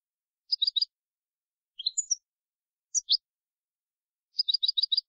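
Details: European goldfinch, clean-style 2020 recording: sparse high twittering with a quick triple-note cluster, then rising and falling tinkling chirps spaced about a second apart. It ends with another rapid cluster in silence.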